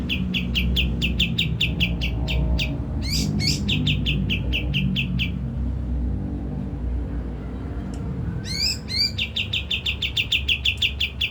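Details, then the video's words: Kapas tembak lure song meant to excite birds into singing: quick runs of sharp repeated chirps broken by rising swept notes, over a steady low rumble in the background. "Pancingan kapas tembak langsung emosi dan bunyi"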